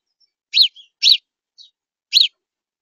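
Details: House sparrow singing while perched near a backyard feeder: three loud, bright chirps about half a second to a second apart, with a couple of softer, shorter notes between them.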